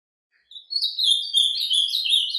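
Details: After half a second of quiet, an ultramarine grosbeak launches into its surdina song in nature, a dense, high, rambling warble of squeaky notes that stays steady to the end.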